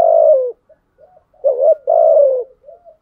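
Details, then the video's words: Spotted dove cooing to provoke rivals in the 'thúc gù' style: it opens on a long, low, falling coo, then soft murmurs and a short rising note, then another drawn-out falling coo and a faint tail. "Thúc gù chim cu gáy bài bản nhất hiện nay. gù thúc bài bản, kích bổi rất riêng gáy, cu đất gù đấu"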